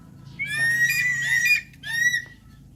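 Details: Javan pond heron (Ardeola speciosa): one long, grating, harmonic-rich squawk that wavers and falls, followed by a shorter second squawk, with faint low hum beneath.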